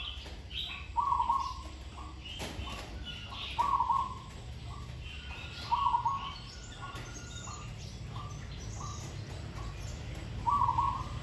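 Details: A zebra dove being trained, admired for its sweet tone and phrasing, delivers four short purring trilled coos spaced irregularly, partly masked by busy chirping of other birds and low background rumble.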